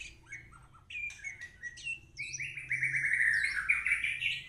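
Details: Actively singing white-rumped shama: a varied string of short whistles and chirps that builds into a long, loud, warbling run of rich notes. Other faint high twitters sound in the background over a low hum.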